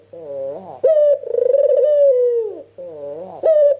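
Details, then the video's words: White Ringneck dove used to make other doves answer: a nasal rising-falling note leads into a long purring coo with a trilled middle, then the pattern starts again. "PANCINGAN TERCEPAT BURUNG PUTER FULL GACOR"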